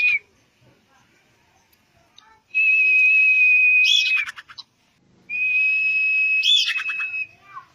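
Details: Common iora song used as bait to prompt singing: two long, level, pure high whistles, each drawn out about one and a half seconds and closing with a brief harsh chattering flourish, separated by a short silence.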